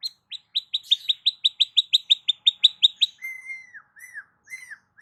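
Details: Long-tailed shrike singing, used as a lure to get a quiet shrike to sing: a quick string of about fifteen dry, sharp chips over three seconds, followed by three clear whistled slurs that rise slightly and then fall.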